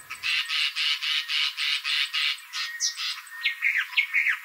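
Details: Southern black tit in Southern Africa: a fast run of about eight harsh, buzzy chattering notes, then a few sharp, slurred whistled notes.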